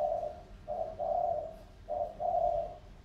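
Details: Spotted dove kept as a calling decoy, a wild field bird from Sóc Trăng tamed two years: deep, breathy coos in short-long pairings, two phrases separated by a brief pause.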